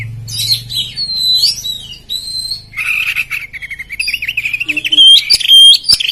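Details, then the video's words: Poci-type Oriental magpie-robin in gacor ngobra competition singing to provoke rival birds: sweet whistled phrases, then a rapid warbling trill and sharp, clear notes, over a faint low hum. "Kacer Poci Nembak Ngeplong Gacor Ngobra Bikin Lawan Emosi"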